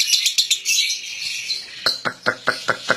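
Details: Competition lovebird from Central Java, Indonesia, first giving a dense high chatter, then a series of sharp separate chirps about twice per second.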